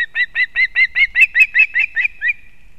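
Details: Osprey at a nest in Kurzeme, Latvia, on 31 August 2024, while the female brings fish to her chick. A rapid run of about a dozen sharp, whistled chirps follows quickly, each note alike, fading at the end.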